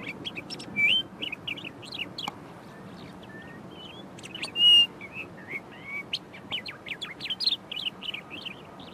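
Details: An Eastern Clapper Lark on a low perch strings together borrowed calls of other birds, not its usual flight-display whistle: varied high chirps, clear whistles and short trills in quick, uneven succession.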